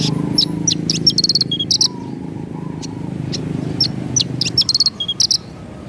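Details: Javan bush lark, lively song with sharp shooting notes: repeated high thin chips, fast ticking trills and short buzzy bursts arriving in quick runs, with low steady noise beneath.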